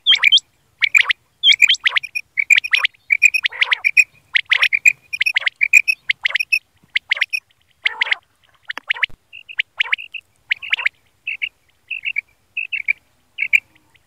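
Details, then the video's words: Quail calls recorded for hunting, described as a single male's morning and night call: dense runs of short, sharp, chirping notes at a steady mid-high pitch, often in quick pairs or triplets, continuing nearly nonstop throughout with brief gaps. "Batair ki awaz batair hunting Batair ki night awaz"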